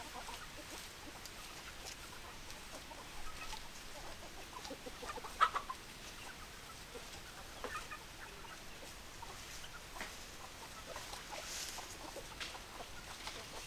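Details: Chickens clucking: short, soft clucks scattered irregularly over a steady hissing background, with one louder, sharper note near the middle and a few brief higher-pitched squawks.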